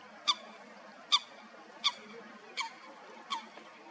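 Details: Two late common cranes at their roost in the Wetterau, Hesse, on 26 March 2021, stragglers after the main migration north: five short, bright trumpeting notes spaced under a second apart, with a faint low hum beneath.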